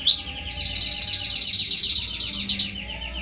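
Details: Young Belgian canary singing loudly: a short high note, then a long, rich, fast-pulsed rolling trill with a lower buzzy undertone, lasting about two seconds before ending abruptly.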